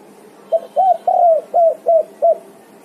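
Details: Spotted dove calling vigorously, answering and calling its companions: a single phrase of six soft, low cooing notes, the third drawn out longest and slightly falling, the rest short and hooked, over a quiet, steady background.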